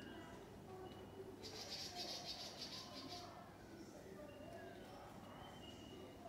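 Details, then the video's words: A nest of Willie wagtails at feeding time: the nestlings give a burst of high, shrill, rapid begging chatter lasting about two seconds, over a steady low hum and faint voices. "Willy wagtail babies feeding"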